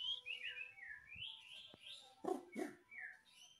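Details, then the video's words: White-rumped shama (murai batu) singing softly: a series of slurred descending whistles, a few brief rough notes and a sharp click, with low background rumble. "KICAUAN MURAI BATU GACOR"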